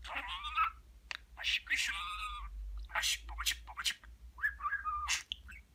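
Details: A pet talking budgerigar chatters in rapid, scratchy bursts with warbled whistles and mimicked Turkish words like "babacık", "aşkım" and "cici kuş", pausing briefly between runs; a low hum sits underneath.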